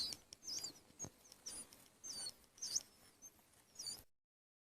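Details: Begging calls from hungry baby birds, faint, high-pitched squeaky chirps in short clusters about every second, with low rustling noise underneath.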